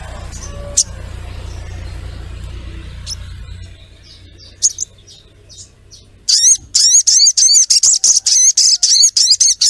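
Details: Calling female sogok ontong, luring a male: after quiet scattered high chirps and a fading low hum, a rapid, steady run of high, slightly rising 'cret' notes begins and continues to the end.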